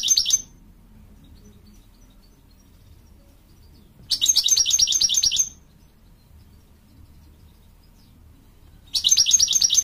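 An American Goldfinch gives high, bright twittering bursts of rapid notes, each lasting about a second and a half, with quiet gaps between them.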